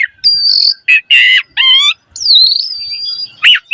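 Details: Javan pied starling singing, a trigger recording for young birds: a buzzy harmonic note, short rasps, then a long, even, wavering high whistle ending in a sharp chip.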